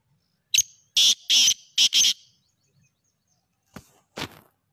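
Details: Black francolin, linked to francolin hunting, giving a harsh, grating series of about five loud, rasping notes in quick rhythm. After a pause come two fainter clicks.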